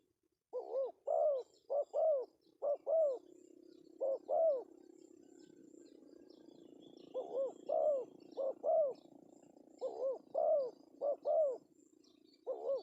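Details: Male spotted dove, melodious 'pesom' lure call: about ten short-long coo pairs in bursts separated by brief gaps, with a low droning hum in the middle and faint high chirps.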